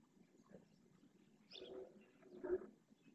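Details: Purple swamphen parent at Riet Vell reserve, Ebro Delta, calling its three chicks to be fed: two brief nasal honking calls about a second apart over a quiet outdoor background.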